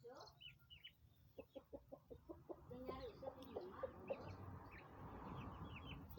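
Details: Nine domestic chicks, 20 days old, give a quick series of short clucking notes, about five per second, over scattered high peeps and a steady low hum.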